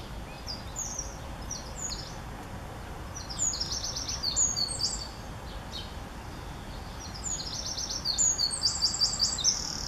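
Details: A male Eurasian wren in Northern Germany on 2 July 2017 pours out high, rapid, rattling trills and sharp chips in loud bursts, singing for a mate to use his ivy nest; a steady background hiss runs underneath.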